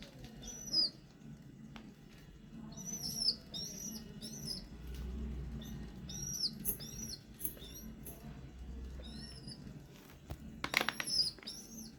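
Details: Young pigeon begging to be fed by regurgitation as the mother eats nearby: clusters of shrill, curving squeaks, often paired, over roughly twelve seconds, with faint rustling and a low background hum.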